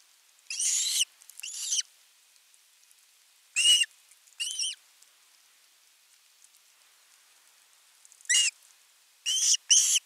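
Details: Osprey chick at a Finnish nest, 10 August 2021, calling for a long time for fish before an adult brings a whole fish: shrill, whistled begging calls in short bursts, mostly pairs, every few seconds.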